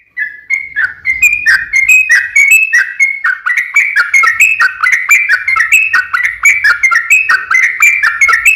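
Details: Yellow-vented bulbul song of the long 'ropel panjang' type, used to lure other bulbuls into song. Continuous liquid, bubbly chirps run unbroken for over eight seconds, each a quick slurred two-note phrase.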